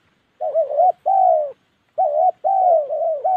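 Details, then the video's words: Spotted dove in the wild mountain forest of Gia Lai, Vietnam's Central Highlands, giving mellow low coos in two paired bursts, each burst a run of wavering notes with short pauses between, in a quiet setting. "cu gáy"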